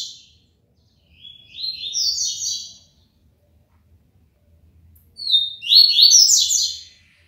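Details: ['Double-collared seedeater, a captive bird from Aracaju in Sergipe, Brazil. It sings two tui-tui style phrases, each a fast series of high, buzzy, upward-slanting notes lasting over a second, with quiet between them.']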